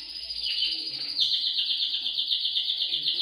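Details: Canary song to get pet canaries singing: a continuous high trill, softer for the first second, then louder and rapidly pulsed to the end.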